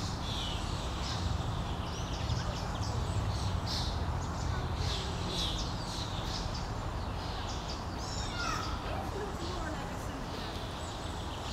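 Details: Common starling parent and fledglings on a lawn in Helsinki, Finland, in June 2013 during feeding: scratchy, clicking and buzzy notes in quick irregular bursts, a few brief chirps, against constant low rumbling and hiss.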